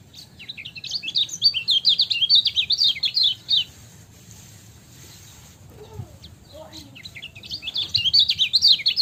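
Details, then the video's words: Lemon-bellied white-eye singing in a lively, chattering style: a fast run of high, sharp twittering notes for about three and a half seconds, a quiet pause, then a new burst of rapid warbling. The background is a low steady hum. "MASTERAN KECIAL KUNING CIAK JOSS GACOR"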